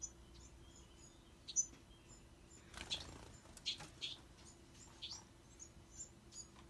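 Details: Bewick's wren fledglings giving short, very high, thin chirps scattered irregularly through the clip, with a brief rustling burst near the middle and a quiet steady hum underneath.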